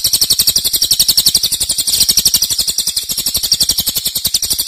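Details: Cililin pouring out a loud, long 'nembak' trill, high and shimmering, built from rapid regular pulses that dip slightly in loudness midway.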